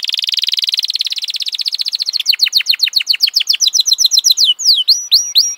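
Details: Singing F1 canary producing a long, rapidly repeated trill that slows into loud descending whistled notes, then a few sharp downward sweeps.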